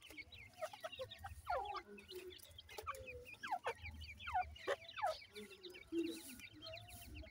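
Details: Young francolin chicks at feeding time call with clear, steeply descending chirps, repeated in irregular runs of several notes, many birds overlapping, over a steady low rumble.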